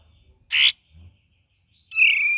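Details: Cream-vented bulbul giving chattering calls amid lively, varied singing, used as a lure recording: a short harsh burst, a pause, then a longer buzzy, scratchy note held almost half a second, over a faint low rumble.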